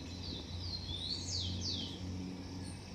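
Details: At a garden nest, a Blond-crested woodpecker calls: short level whistles lead into two or three bright, steeply descending slurred notes, with low background hum.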